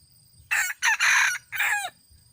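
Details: Red junglefowl rooster from 2018 crowing loudly and clearly: a short harsh opening note, a brief second note, a long sustained middle phrase, then a final drawn-out syllable that falls at its end. There is quiet low hum between phrases.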